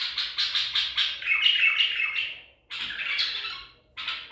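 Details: Caught Baghdadi-type white-eared bulbul from Medical City, 14 April 2021, delivering a loud run of quick chattering notes that slides into a falling, slurred warble, then a pause before another rich burst begins.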